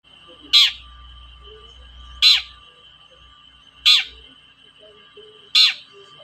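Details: Long-tailed shrike giving a toet-toet lure call meant to provoke reluctant shrikes into singing: four harsh, rasping bursts spaced about every 1.7 seconds over a steady high whine, with faint low rumbling.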